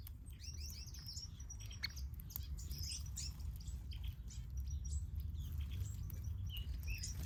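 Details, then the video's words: Caged finches in an aviary chirp constantly. Quick, thin, high twitters and short tweets from several birds overlap irregularly above a continuous low rumble. "Finches Aviary"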